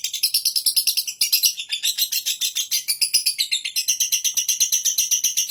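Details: Lovebird chattering in sustained ngekek style: dense, high-pitched, rapidly repeated buzzy notes, roughly four to eight a second, continuing without a break.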